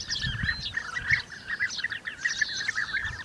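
Several European bee-eaters give liquid, rolling 'prruip' calls that overlap in a constant, mid-pitched chatter, with faint low background rumble.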